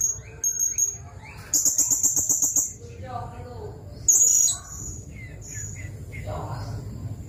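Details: Blue-crowned hanging parrot calling, used as a long-burst tutor song for white-rumped shamas: a few very high thin notes, then a fast buzzy stuttering trill of about a second, a piercing held whistle, and scattered lower chirps.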